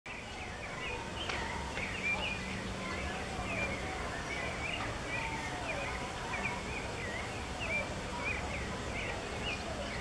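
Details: A Gray-headed Chachalaca taking a dust bath at Gamboa, Colón, Panama, on 29 March 2015 gives short, squeaky high chirps, repeated irregularly every second or so, over a steady low background rumble.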